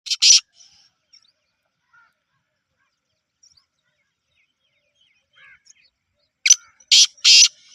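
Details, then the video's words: Black francolin in Sindh, Pakistan: one harsh, grating burst, then near silence with faint scattered chirps, then a closing run of loud rasping notes in quick succession. "Kala Teeter"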